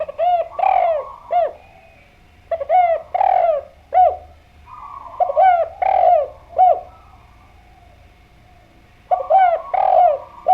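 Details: Spotted dove singing energetically as a tutor and lure recording to make other doves respond. Phrases of three or four soft, hollow, downward-bending coos repeat with pauses of a few seconds between them, over a quiet background.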